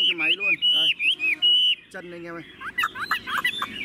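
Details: Tame, caged Chinese hwamei gives long, pure whistles that rise and level off, each with a lower tone beneath, followed by a quick jumble of short warbled notes.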